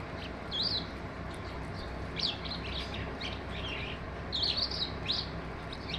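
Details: Skylark singing, a run of quick high chirping and warbling notes that rise and fall, in bursts across the clip, with a steady low rumble underneath.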